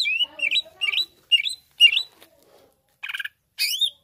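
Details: Greater green leafbird singing to rouse a rival: rising-and-falling whistled phrases about every half second, followed by a harsh buzz and a sharply upswept note.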